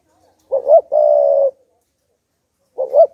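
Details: Decoy spotted dove cooing to provoke wild doves into calling. A low, mellow coo: two short broken notes, then one long steady note, with the next phrase starting after a pause. The background is quiet.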